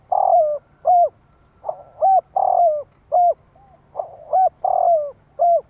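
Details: Spotted dove call for stimulating wild doves: loud, mid-pitched coos in short groups, a long droning coo sliding down at the end, then crisp rounded notes, repeated about every two seconds over a faint low hum.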